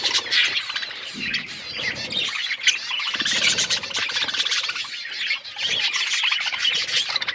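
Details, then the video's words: Budgerigars (Australian parrots) eating corn; a thick wash of overlapping warbles and chirps from many birds, nearly unbroken, with short rises and falls in loudness. "Australian parrots eating corn birds chirping sounds"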